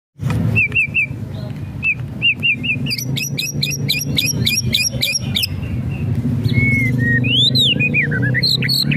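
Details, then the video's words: White-rumped shama song used to provoke a lazy bird into singing: short whistled notes near the start, then a burst of repeated high sharp rattling notes, ending in slurred rising and falling whistles over steady low background rumble. "SIULAN DAN KRETEKAN MURAI BATU | pancingan murai batu malas bunyi"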